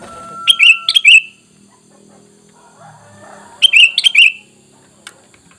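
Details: Bulbul lure sound, sooty-headed bulbul, used so wild birds reply: two bursts of three or four rich, bubbly whistled notes about three seconds apart, with a thin steady tone and faint murmuring between.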